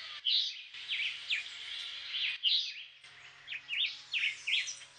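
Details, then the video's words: A black-whiskered vireo, a migrant that returns to Puerto Rico each February to breed, sings brisk, slurred phrases of two or three high notes, several each second, over a faint steady hum. "JULIÁN CHIVÍ cantando"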